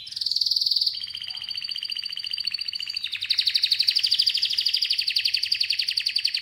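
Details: Canary chirping in a continuous, fast rolling trill that changes pitch twice, growing louder and more rattling toward the end.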